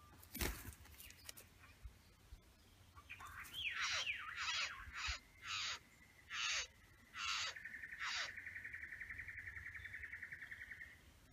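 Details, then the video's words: A male satin bowerbird (Ptilonorhynchus violaceus) in his bower with females gives harsh, hissing bursts about once a second, followed by a long buzzy churring rattle. "Satin Bower Birds"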